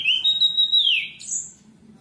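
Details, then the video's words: An orange-headed thrush, used as a lure or therapy call for the species, gives a clear, sustained whistle sliding lower, then a brief, much higher thin note; otherwise quiet. "pancingan Anis merah macet bunyi terapi anis merah cepat gacor"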